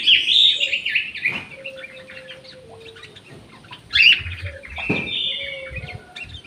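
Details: Aviary-kept orange-headed thrush, housed with a jali bird, delivering loud varied warbling at the start, softer scattered notes, then another strong burst of whistled and chattered phrases after a short pause.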